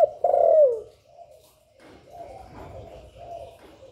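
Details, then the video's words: Spotted dove cooing to stimulate other doves: one loud long falling coo near the start, then a run of quieter, muffled low coos with some background rustle. "Cu Gáy Gáy Gọi + Thúc + Gù bài bản kích bổi hiệu quả, Tiếng chim cu gáy, cu đất gáy, cu cườm gáy gù"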